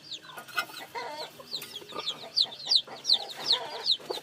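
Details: Peeping of newly hatched chicks, sharp descending cheeps that grow louder and more regular in the second half, over soft clucks and broadband rustling.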